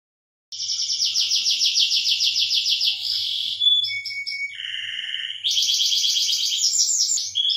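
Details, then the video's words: Canary mating song used to stimulate breeding: high, rapid rolling trills, then pure whistled notes, a lower buzzy tour, and fast bright trills again. No other sounds. "suara kenari lagi kawin rangsangan menaikan birahi"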